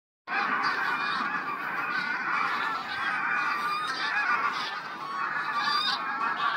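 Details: Huge flock of geese calling together, recorded 3 September 2022: a dense, continuous chorus of overlapping nasal honks with no pauses, steady in loudness throughout.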